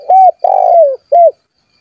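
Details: Spotted dove cooing persistently to call rivals into song, a lure for wild doves: a three-note phrase, a short mellow coo, a long rolling coo sliding downward, then a final short coo, in a quiet setting.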